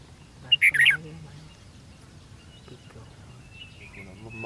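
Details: Red-whiskered bulbul at a trapping contest on 13 February 2016, giving one loud, quick burst of high, warbled whistled notes, with men's voices talking quietly in the background.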